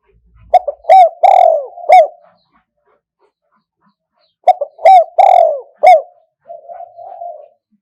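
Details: Wild-style kuk hoi cooing of a Spotted dove from 2021: two clear phrases of short coos around a long, sagging middle note, followed by a quieter, blurred coo. Otherwise silent.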